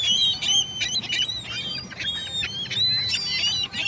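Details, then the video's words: Dense chorus of gulls, many short harsh cries and thin wailing notes overlapping rapidly, several calls per second, with steady loudness throughout. "Seagull noises"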